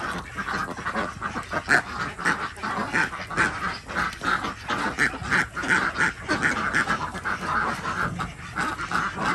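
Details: Flock of desi ducks kept on a village farm in Andhra Pradesh, heard in the morning while eggs are collected; continuous chorus of nasal, raspy quacks overlapping in quick succession.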